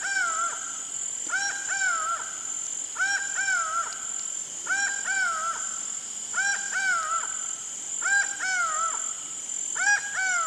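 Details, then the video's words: Laughing falcon (acauã) from Brazil repeating its mysterious call over ten seconds: rhythmic couplets of a quick rising note and a longer level, slightly falling note, about six couplets, against a continuous shrill insect drone. "O ACAUÃ e seu CANTO MISTERIOSO (HERPETOTHERES CACHINNANS) LAUGHING FALCON"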